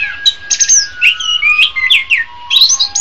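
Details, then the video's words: Orange-headed thrush training song for tutoring songbirds. Bright whistled phrases sweep up and down between sharp chips, with a faint steady hum underneath. "SUARA BURUNG - Masteran Terbaik Anis Kembang"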